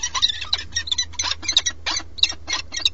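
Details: Peregrine falcon at the nest during a changeover between the pair, live webcam in Alcalá de Henares, Madrid, Spain; harsh, grating repeated calls, roughly three per second, loud and close.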